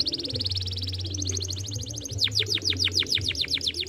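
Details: Young canary lure song: a fast high rolling trill that speeds into a series of loud downward-swept whistled notes repeated several times a second, with low hum beneath.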